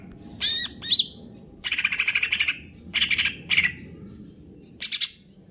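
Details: Cucak ijo, the Greater green leafbird, konslet kejer nembak style song: sharp high whistled notes, then short bursts of harsh rapid pulsed chatter separated by pauses, ending with a high twittering flourish.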